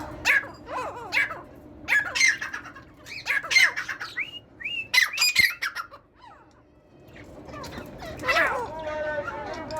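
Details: Singing partridge, probably indoors, giving short bursts of harsh, clicking, squawky notes with rising and falling whistles, repeated about every second. It pauses after six seconds, then gives softer warbling tones.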